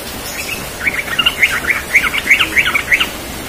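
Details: Yellow-vented bulbul in the morning delivering a rapid 'ropel' song: a continuous stream of lively, bubbling warbled phrases lasting nearly three seconds, notes tumbling quickly up and down, with light background hiss.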